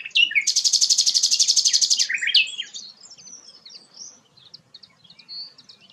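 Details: Sikatan londo flycatcher, a local bird used as a song model for training white-rumped shamas, singing in full voice: a fast buzzy high trill of about thirty notes, then twisting whistles and scattered thin, high chips.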